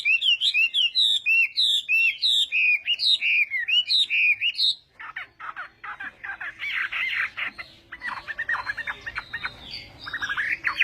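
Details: Chinese hwamei in morning singing practice: first a run of rapid looping whistled phrases, then harsher, broader buzzy and chattering notes for the remaining half.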